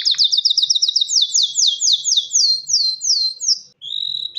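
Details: Male canary calling a female for mating, its song meant to attract her and prompt nest building: a rapid series of high downward-slurred whistles that gradually slow and lengthen, ending in a sustained note and a quick upward slide.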